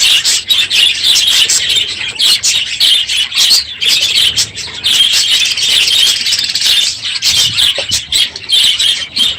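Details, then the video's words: Aviary full of budgerigars calling loudly one morning near the close of the breeding season; continuous high warbling chatter and sharp squawks from many birds at once, with occasional wing flutters. "My Budgies Today - NOISY birds this morning!"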